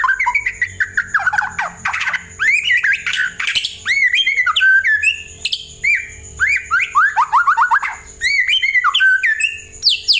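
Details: White-rumped shama singing to prompt other birds to reply: continuous rich medley of looping whistles, rising slurs and sharp chips, delivered in fast rhythmic phrases over a faint background hum.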